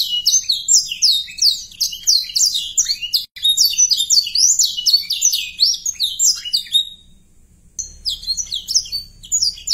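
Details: Canary song for arousing young birds and filling their song with variety: rapid tumbling whistled syllables in dense phrases, a brief gap near the middle, near-silence around seven seconds, then the chirping resumes.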